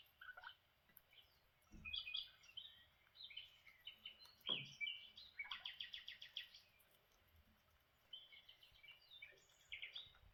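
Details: Lineolated parakeets chatter while having breakfast, in soft, warbling, high-pitched twitters and squeaky notes, with a quick run of rapid chirps midway and faint thumps and knocks.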